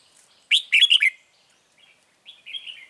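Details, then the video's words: Trap lure red-whiskered bulbul sings a loud burst of four or five rich, warbled notes, followed by a gap and a softer, drawn-out chattering phrase. "Bẫy chào mào Bổi HB lăng xăng cực gắt"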